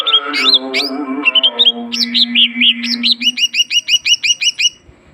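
A leafbird sings a rich, varied string of whistles and slurred notes, ending in a fast run of about twelve repeated chirps, over a low steady hum.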